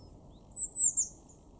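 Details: Blue tit in a garden in Weener, East Frisia, in Germany's far northwest, March 2024: a single very high, thin phrase of three quick notes sliding downward, over a low steady background rumble.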